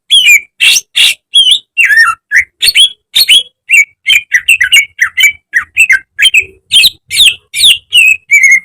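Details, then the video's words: Greater green leafbird (cucak ijo) in a lively training recording for caged birds: over eight seconds of rapid, continuous song, with bursts of rasping squawks among twisting, falling whistles, each note about a third of a second long. "Masteran cucak ijo agar cepat rajin bunyi~gacor setiap hari"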